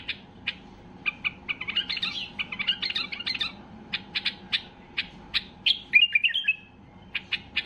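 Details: A white-eared bulbul at peak excitement sings to make silent bulbuls answer: dense chattering warble mixed with quick chirps, a brief melodious phrase near the end, then a few clipped notes.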